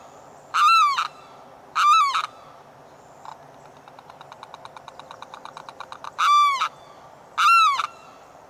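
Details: Morning limpkin calling for a mate: piercing, nasal wailing screams given in pairs, separated by a soft accelerating series of rattling clicks before two more loud cries.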